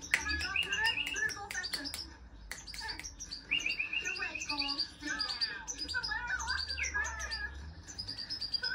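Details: European goldfinch, hand-tame, giving a lively twittering song of quick chirps and liquid warbled phrases with some buzzy trills, broken by sharp clicks and low background murmurs of voices.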